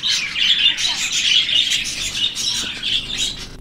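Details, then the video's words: Budgerigars in breeding season, kept by a breeder, produce dense continuous warbling chatter, several birds overlapping in a high, scratchy, chirping stream without pauses. "Australian parrots behavior in breeding season"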